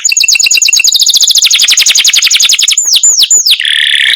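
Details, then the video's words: Canary in long-rolling masteran song: a quick, high chattering trill that speeds up, then three loud descending swoops, closing on a harsh buzzy note. "suara kenari masteran"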